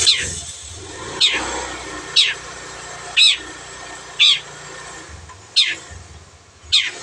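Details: Long-tailed shrike, a cage bird kept for training other birds, giving loud harsh downward-sweeping notes about once a second, seven in a row, over a low murmur of background noise.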